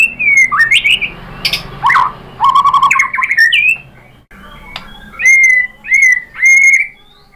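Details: White-rumped shama lure song for stirring other birds to answer: jumbled rising whistles and harsh notes, then three loud, clear, slurred whistles spaced about half a second apart.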